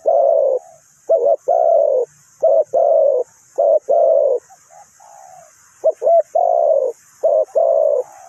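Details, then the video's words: Spotted dove used as a trapping decoy in Ninh Thuận, giving deep mellow coos in short bursts and longer held notes, phrases separated by brief pauses and a softer, quieter coo in the middle. "นกเขาใหญ่สายต่อดิน,The Sound Of the dove"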